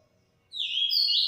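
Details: Yellow-bellied seedeater singing in the transformado song style: silence, then a clear, bright whistled phrase that slurs upward, followed by a sustained high note with faint higher overtones. No other sounds are heard.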